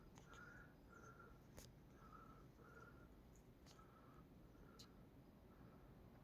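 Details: At night, an owl that cannot be seen, thought to be somewhere up the road, gives a steady series of short, mid-pitched notes about one every three-quarters of a second, over a low rumble with faint clicks.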